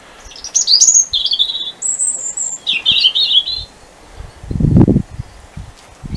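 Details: European robin singing its territorial song at night in the dark of the winter solstice, close to a street light, around four o'clock. Thin, high whistled phrases break into short trills and pause between them, with a low thump nearby.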